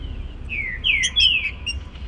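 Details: Trinca-ferro in the morning giving its baruc song: a short run of three rich, falling whistles, the middle and last strongest, with faint high overtones and low background noise.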